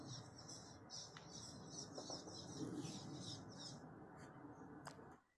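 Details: Cliff swallows at fledging time give an excited, busy chorus of short squeaky, chattering calls, many birds overlapping in quick bursts over a steady low rumble.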